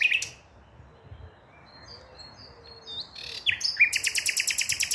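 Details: Song of a common nightingale, 5 May 2023: a bright opening note, a quiet spell of soft varied twitters, then a sudden fast, even series of loud, harsh clicking notes repeated rapidly to the end.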